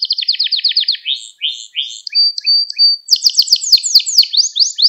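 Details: Canary singing in a recording meant to teach young canaries: fast repeated trilled notes, a brief sustained whistle, then an accelerating rolling trill of bright descending notes, with no other sounds.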